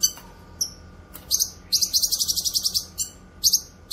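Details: Cucak kinoy (Grey-cheeked Bulbul) singing vigorously for song training and luring: an isolated high falling whistle, then a fast, rhythmic series of about a dozen scratchy chattering notes, ending with further raspy bursts.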